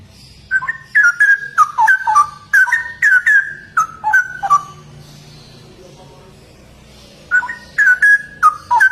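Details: Vigorous ropel-style song of a straw-headed bulbul: a long run of loud, fluty, tumbling warbled notes for about four seconds, then near silence with a soft hum, before another bright bubbling phrase starts.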